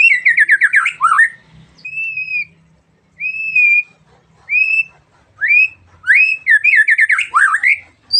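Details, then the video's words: Morning song of a magpie-robin, which gets other birds singing as well; rapid chattering trill opens, followed by evenly spaced arched whistles, then rising swoops and another quick trilled run. "suara burung murai di pagi hari bikin burung lain ikut bunyi"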